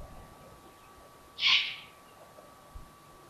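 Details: On a July 2020 evening at the Königstein castle ruin in Germany's Taunus, an eagle-owl family member gives one brief, noisy hissing screech. Otherwise only quiet hum and a faint knock are heard.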